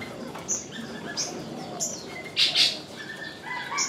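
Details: Three lovebirds perched at the top of a crape myrtle tree give shrill, high chirps: short sharp notes around half a second apart, then two louder bright squeals near the end, with other faint bird twitters behind.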